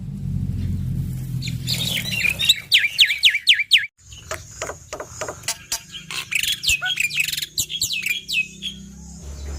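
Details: A male black-winged myna (white starling) sings loud, rapid runs of sharp, down-slurred whistles, several per second, broken by harsh notes, over a low background hum, used to prompt other mynas to sing.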